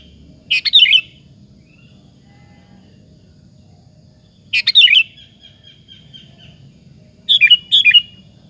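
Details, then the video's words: Lure song of a sooty-headed bulbul meant to make rival bulbuls answer: three separate bubbly phrases of rapid warbled notes, spaced roughly three seconds apart, with a thin lingering whistle after the second and low background hum. "suara PANCINGAN BURUNG KUTILANG BUNYI GACOR satu ini, Pandai memancing EMOSI LAWAN"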